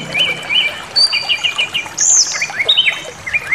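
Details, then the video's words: Angered white-rumped shama, stirred up by a provoking recording, pouring out a rich, fast medley of sliding whistles, chirps and high warbled notes in dense, overlapping phrases over soft outdoor noise. "Pancingan Emosi SRDC Awas Ikut Ngamuk Bongkar Materi"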